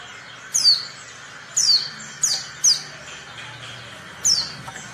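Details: Female Oriental white-eye call for triggering reluctant males to sing: five quick, high-pitched descending chips, irregularly spaced, some close together, over a soft steady hum.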